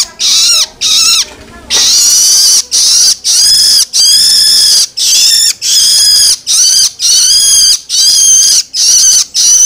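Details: Long-tailed shrike youngster's loloan begging, used to stimulate adult birds: a sustained series of strident, wheezy rasps, each under a second, repeated steadily with brief gaps after a short opening pause.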